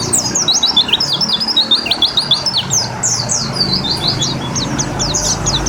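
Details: White-eye given a water treatment to bring on its song: rapid, high chirps and downslurred notes in an unbroken chattering stream, with low traffic rumble beneath.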